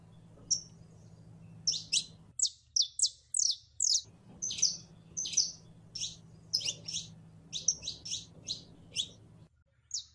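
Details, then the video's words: Female canary in heat calling to a male to mate: bright, high chirps that sweep sharply downward, given singly, in pairs and in quick runs with brief pauses, over a low steady hum. "15 MINUTOS DE HEMBRA EN CELO LLAMANDO A MACHO CANARIO PARA APAREARSE"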